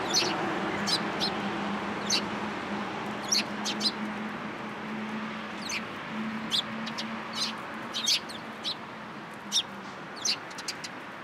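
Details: Sparrows coming to a cherry tree at a Tenmangu shrine in March 2023, uttering brief high chirps at irregular intervals over a low steady hum and broadband background noise.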